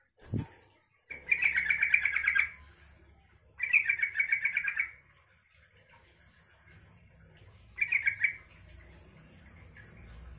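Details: Yellow-vented bulbul song meant to provoke other bulbuls into replying: three bursts of rapid bubbling, chattering notes around two seconds long, separated by quiet gaps, with a faint low hum underneath.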